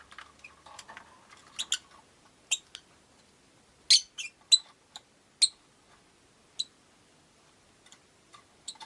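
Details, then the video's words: Five caged rosy-faced lovebirds by a window give irregular bright, clipped chirps, roughly one or two a second, loudest in the middle, over a faint low murmur at the start. "Lovebird Chirping Sounds"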